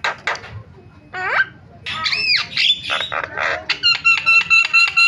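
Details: Starling lure call to make other starlings call: sharp scratchy notes, a rising whistle, looping whistled phrases and harsh chatter, ending in a series of bright, ringing harmonic notes.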